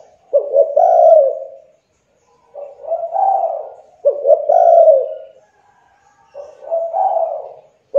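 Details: Spotted dove lure calls to make idle, young doves start calling: mellow low cooing phrases, stuttered notes running into drawn-out coos, four phrases with short gaps between them.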